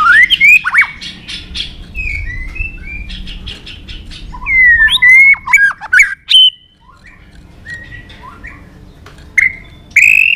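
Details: White-rumped shama fighting song for rousing birds and voice training: varied bursts of sharp clicks, upslurred whistles and short trills, separated by pauses of quieter background, ending with a bright rising whistle.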